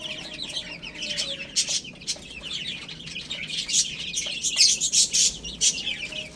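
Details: Baby chickens feeding on spinach, giving many quick high-pitched peeps that overlap in a busy chorus, louder bursts near the end.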